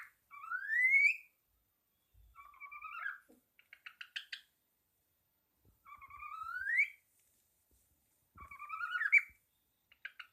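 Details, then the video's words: Pet parrot wagging its tail, tapping and singing: rising whistled slurs climbing from low to high, alternating with short buzzy rattling notes, in two similar phrases about five seconds apart; faint knocks between. "Попугай вертит хвостом, стучит и поёт"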